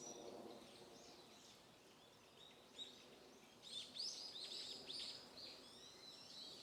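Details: Small birds calling in a mountain-stream garden: faint, high, short chirps, scattered at first, then clustering into a busier burst, over a steady background hiss.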